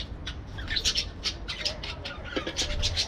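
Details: Aviary parakeets trade fast, high chirps and scratchy squeaks, several birds overlapping, with a low hum underneath.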